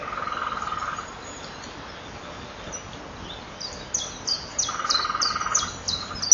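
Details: Male common kingfisher calling in flight past its breeding burrow at 18:06 while the female is inside, picked up by a nest-wall camera. Quiet hum first, then a rapid run of sharp, shrill, high whistles repeated several times a second.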